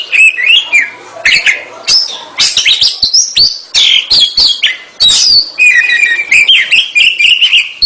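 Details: Oriental magpie-robin, a kacer described as gacor, singing a loud, varied song: whistled phrases around the upper register mixed with sharp chips and fast twittering bursts, with short pauses between phrases; no other clear sounds.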